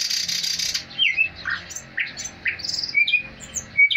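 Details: Thrush nightingale singing indoors at home: a loud buzzy rattling burst opens, followed by varied short chirps, rising slurs and clear high whistled notes that repeat sharply toward the end.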